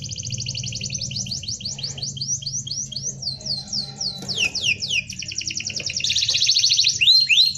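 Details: A canary sings a packed rolling song suited to training young birds. It has a steady series of rapid sliding notes, about three or four per second, that later turn into faster trills and end in loud upswept whistles.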